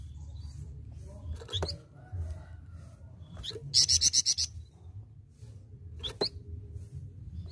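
Golden-bellied Gerygone giving thin, very high notes, including a quick run of about six sharp chips, over a steady low rumble.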